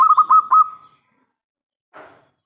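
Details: A local zebra dove in full song, kept as a lure to draw replies from other zebra doves, gives a short burst of rapid, throaty cooing notes that fade into a held tone. A brief soft rustle follows after a pause.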